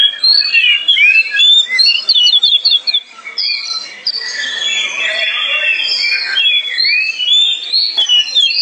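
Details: Albino Oriental magpie-robin, known locally as kacer poci, singing during a vocal test: a rich, continuous run of high whistles, rapid rattling trills and slurred, rising and falling phrases, varied throughout with barely a pause.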